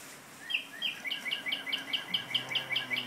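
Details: Caged parrot singing indoors: a fast, steady series of short, bright chirps, each a sharp high note with a lower echoing trill, repeated about twice per second after a quiet start.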